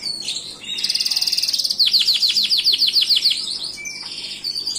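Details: Gloster canary singing: a fast rapid trill around the upper range, then a series of about a dozen downward-sweeping whistled notes repeated quickly, ending with softer higher chirps.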